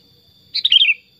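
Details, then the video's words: Pet Sooty-headed bulbul, tame and talkative, delivering a quick burbling song phrase of several linked notes, bright and falling toward the end, against a faint continuous electrical whine. "Kutilang Super Gacor Suara Alami Hutan"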